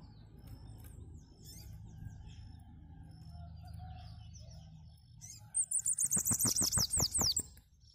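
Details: Bananaquit in vigorous song: a quick run of very high, wiry, downslurred notes, about a dozen in two seconds, with loud rhythmic clicks beneath them, following several seconds of faint chirps and low background rumble.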